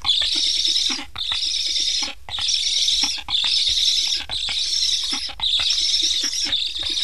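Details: Estonian Black stork nestlings with new transmitters beg hungrily after parents arrive and depart without feeding. Steady run of breathy, hissing bursts, about one per second, with short silent breaks and scattered soft clicks.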